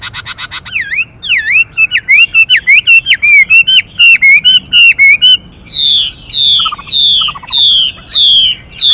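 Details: Male Chinese hwamei continuously switching its song phrases while a female calls: a rapid series of bent, upslurred whistles accelerating into clipped notes, then a steady run of loud descending whistles.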